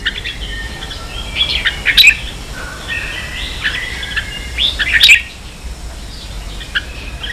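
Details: Red-whiskered bulbul ché song for training young birds: soft distant warbling with two louder sharp whistled calls a few seconds apart, over a steady hiss.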